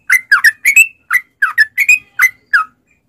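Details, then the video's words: Sooty-headed bulbul singing 'ropel panjang', a lure to set caged bulbuls singing. About ten clear whistled two-part notes, falling then rising, come in quick succession over three seconds on a quiet background. "trucukan gacor TARUNG ROPEL PANJANG pancingan trucukan agar bunyi jadikan burung trucuk gacor NYAUT"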